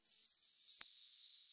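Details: A sleeping hummingbird, recorded by a scientist in Peru, gives a thin, high, squeaky snore held as one steady note.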